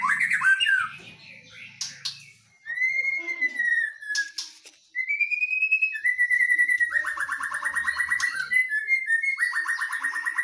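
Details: Singing duel of white-rumped shamas, birds from Medan against wild Nias forest stock: long slurred whistles followed by fast rolling trills repeated in bursts, with faint low background noise.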